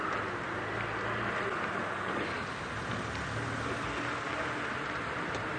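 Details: Steady rain and a low vehicle engine hum fill the recording, with faint speech and no animal calls.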